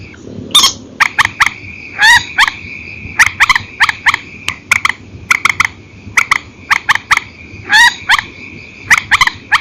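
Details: Purple swamphen at night from an old recording, single and paired calls: loud harsh notes and quick clicky doubles and triplets in a busy, uneven rhythm over a faint hum.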